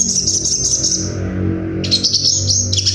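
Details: Sunbird in a masteran recording: rapid high, thin chirping trills and twittering phrases, pausing briefly midway before resuming, over a steady low hum.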